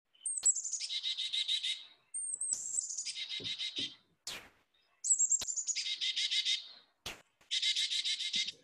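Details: Carolina Chickadee, a winter bird in South Carolina, giving its chick-a-dee call four times: thin, high slurred opening notes followed by a rapid string of buzzy, harsher dee notes, quicker than a titmouse's.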